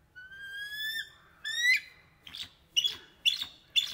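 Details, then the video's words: Bald eagles calling: two drawn-out, thin whistles that slide upward, then a string of short, shrill, emphatic notes spaced about half a second apart. "Bald Eagles Calling"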